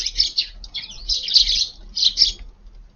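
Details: Eurasian tree sparrows feeding in a garden at midday on a cold, strongly windy day chatter in quick bursts of high, harsh chirps, several birds calling together in clusters over a few seconds.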